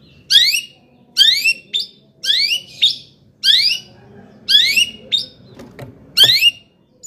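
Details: Long-tailed shrike singing as a lure to stir up other shrikes: loud harsh, buzzy sweeping notes in short bursts roughly once a second, separated by brief silences, with a few thin high clicks.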